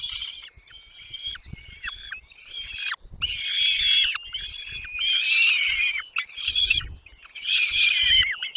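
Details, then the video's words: A brood of nest chicks fed by mother and father birds, giving loud rasping high cheeps in bursts roughly a second long, separated by brief pauses, with soft low thumps. "mom dad birds brings food to feed their chicks in the nest"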